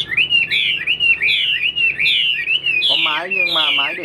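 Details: A tame caged hwamei, newly arrived and singing alone with a female kept out of sight, delivers loud looping whistled phrases, then harsher ribbed notes near the end.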